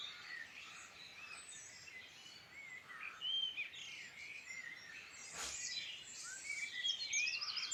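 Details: Several birds sing in rural Irish Midlands, a busy mix of short chirps, twitters and high whistled notes, briefly interrupted by a sharp click partway through.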